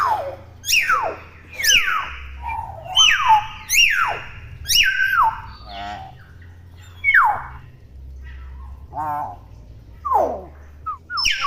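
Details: Juvenile common hill myna chattering loudly: a string of sharp downward-sweeping squawks, then quieter buzzy, ribbed notes and scattered short chirps, with a low hum underneath.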